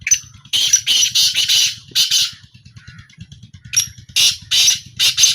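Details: Harsh, screechy, buzzy notes from a black francolin at a calling trial come in two dense bursts separated by a quieter gap. A low rhythmic thumping continues throughout.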